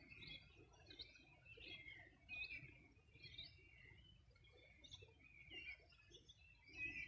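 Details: On a summer morning in 2020 by the Río Bueno in the Los Ríos region, birds sing in short bright bursts of chirps and quick trills, rising and falling in loudness, with gentle water rumble underneath.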